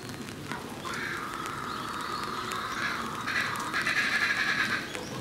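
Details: A great curassow at Higashiyama Zoo, Aichi, Japan, on 18 November 2017, gives a drawn-out, high, wavering whistle lasting about four seconds, with a brief dip midway and a louder ending, over faint background hiss.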